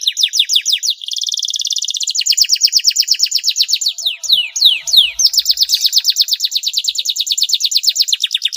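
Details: Long, elaborate canary song meant to stimulate lazy canaries to sing: quick chains of descending high notes, a tight buzzy roll, a few slow swooping whistles near four seconds, then sustained rapid trilling to the end.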